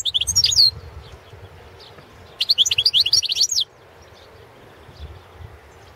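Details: Goldfinch (Carduelis carduelis balcanica) singing for the 2017 World Championship in Goldfinch Song: a brief twitter at the start, then a rapid, bright phrase of repeated high slurred notes lasting over a second.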